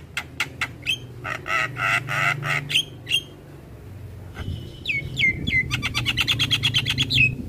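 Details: Javan myna singing in the morning as a model for young birds: sharp clicks, buzzy chattering bursts, a few slurred whistles, then a fast rattling series ending in a downslurred whistle, low hum present.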